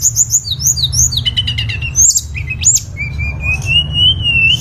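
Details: Lesser shortwing singing: a series of downslurred high whistles, a fast stuttering trill, sharp upward sweeps, then one long steady whistle that slowly wavers and climbs, with a low rumble underneath.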